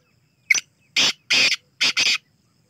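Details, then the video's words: Black francolin giving its full call: a brief sharp introductory note, then two long harsh grating notes, then a quick rasping double note, the whole phrase lasting under two seconds in a quiet setting. "Kala teetar beautiful aur iski awaaz"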